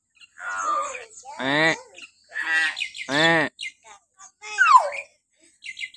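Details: Captive-training lure of a common hill myna's shrill morning calls: loud, harsh, nasal squawks with rich tones, followed by a sharp falling whistle and faint chirps.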